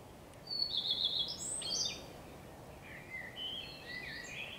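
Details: Redstart song from 12 May 2023, a blackbird also present: a high piping note, a fast trill of repeated notes and a brief scratchy ending, followed by lower, fluty warbled phrases in the background.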